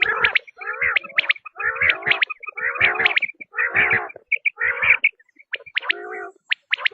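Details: Quail calling in a dense run of rough, harmonic nasal bursts with crisp high chirps between them, then spaced sharp notes toward the end.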